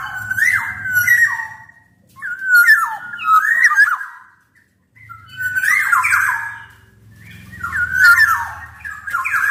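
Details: Lively golden oriole song used for training and luring other birds: loud mellow whistles that glide up and down, grouped into rolling phrases with short gaps, over a faint low hum in the background.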